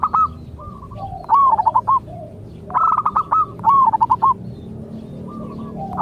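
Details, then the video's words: Zebra dove song, local bird, used to prompt untrained doves to reply: several quick phrases of staccato, rolling coos, each about half a second long, spaced irregularly over faint low noise. "Cukup Dengarkan Suara Ini Perkutut Lokal Bahan Anda Akan Nyaut"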